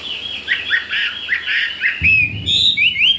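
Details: Chinese hwamei, a wild-caught bird only four days in its new home, delivering fast fluty whistles that loop up and down, then clear rising upslurred notes, with a low rumbling noise underneath near the end.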